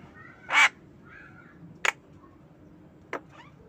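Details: Javan myna kept as a pet, calling in the afternoon: one loud, harsh, rasping burst followed by two shorter, quieter harsh notes about 1.3 seconds apart, over a low background hum.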